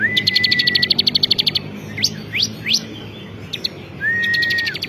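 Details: Ciblek kristal (bar-winged prinia), a champion songbird singing actively. A long steady whistle with a fast chip rattle opens. Three quick upslurred notes follow, then another whistle and rattle.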